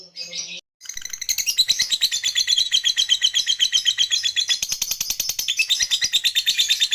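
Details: Lovebird giving its ngekek chatter while falling asleep: after a short soft note and a brief pause, a long unbroken run of shrill, rapid clicking notes, about three per second, over a high buzzy trill.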